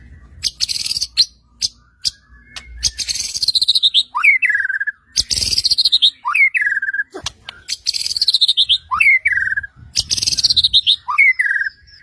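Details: White-rumped shama song meant to trigger rival shamas to sing, with sharp clicks and rasping bursts leading into repeated phrases of harsh buzz, upward whistle and falling slur, repeated steadily over twelve seconds.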